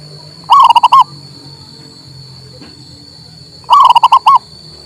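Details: Local male zebra dove song used to get a silent bird singing: two short bursts of quick, rolling coo notes about three seconds apart, with a constant high-pitched tone and faint low hum behind.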